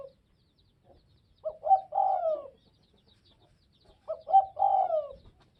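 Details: Spotted dove of northwest Vietnam repeating its coo twice, about three seconds apart. Each phrase is a couple of quick clipped notes leading into a longer descending coo. The setting is quiet around the calls.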